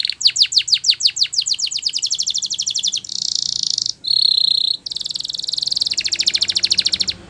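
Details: Training song from a canary: loud sweeping notes that quicken into a fast trill, followed by a harsh buzzy roll, a pure sustained whistle, and a long shimmering rapid trill.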